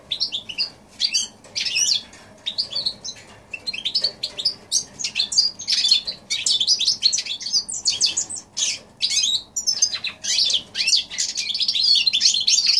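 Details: January 2016 song of a goldfinch crossed with a canary: a long, lively high-pitched twittering with rapid chirps and trills, growing denser and more continuous toward the end.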